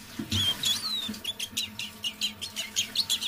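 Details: Soft evening song of a captive decoy Eurasian siskin: a thin, sliding whistle, then a run of quick, evenly spaced high chirps and twitters, with a faint low thump at the start.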